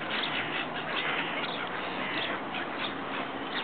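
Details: A water rail on water-covered ice at Radipole Lake gives a harsh, squealing, pig-like outburst that runs on without a break for several seconds, loud and grating throughout.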